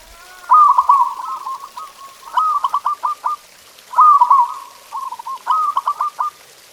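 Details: Zebra dove singing, used as a training recording to prompt pet doves to sing: two phrases, each a drawn-out trilled coo followed by a quick stutter of short clipped notes, on a quiet background.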